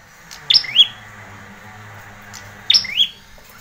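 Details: Ashy prinia recording used as a tutor and lure sound for training young birds: two short, high, chirpy bursts about two seconds apart, each a quick squeaky flourish, over a steady faint hum and hiss.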